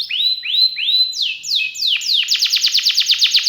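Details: Canary song opening with three rising whistled slurs, then three descending sweeps, and finishing in a quick even trill of sharp repeated notes, about eight per second.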